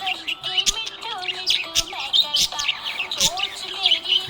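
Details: Happy budgerigar chirping in quick, high twittering bursts with short rising and falling whistles, roughly every second, over steady background music with sustained tones.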